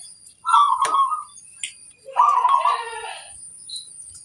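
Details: Local zebra dove, praised for an especially big voice, sings two rich phrases: a short rolling coo, then a longer bubbling, trilled phrase on a steady mid pitch, with faint high ringing behind.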